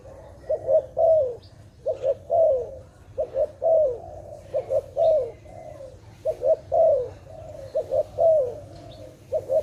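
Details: Malay-tagged dove from a trapping context giving a steady run of short, low cooing phrases, grouped bursts repeated roughly every one to two seconds, with a faint low hum beneath.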